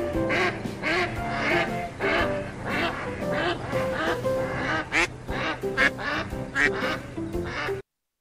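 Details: Duck in a farm-animal sounds list for children, giving harsh, nasal quacks repeated in quick bursts, roughly two per second, over steady background music, ending abruptly in silence.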